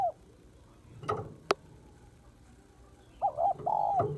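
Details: Female spotted dove calling to stimulate a male; a short coo at the start, then two clicks, then a wavering two-part cooing phrase near the end.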